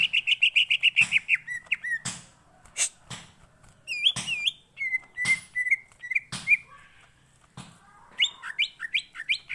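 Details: Green leafbird song used as a lure to prompt another green leafbird to sing fully: a fast run of bright whistled notes, then varied slurred and rising whistles broken by sharp clicks and short pauses.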